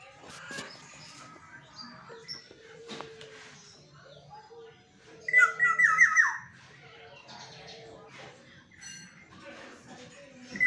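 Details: Caged pet Black-naped oriole singing indoors, a bird said to call at every dawn: one loud, fluid whistled phrase of rapidly wavering notes around mid-clip, with quieter chatter and room sounds before and after.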